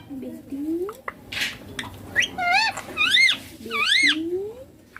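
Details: Talking green ringneck parakeet, said to say "papa" and "mummy": three strong, bending, nasal syllables in the middle, with low human-like voice sounds at the start and end, indoors.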